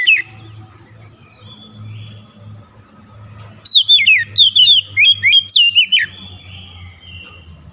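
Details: Oriental magpie-robin (kacer) song intended to trigger a stressed, silent bird into song: after several seconds of faint hum and a soft opening note, a rapid loud sequence of about ten ringing, downslurred whistles follows.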